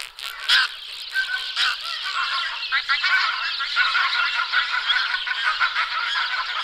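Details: Dense chorus of pink-footed geese, many birds calling at once in a continuous wash of nasal, overlapping yelps, with a few louder honks rising above the din.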